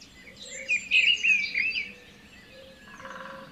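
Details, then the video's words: Short burst of white-rumped shama song, used to coax a stressed bird into singing. A loud run of rich, fluty whistles is followed by quieter chatter and a soft buzzy tone. "PANCINGAN MURAI BATU STRESS MALAS BUNYI"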